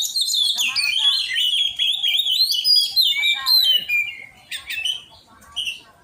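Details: Oriental magpie-robin at song practice, pouring out a long, loud run of varied whistles mixed with rasping, harsher notes, then fading into a few softer, scattered phrases toward the end.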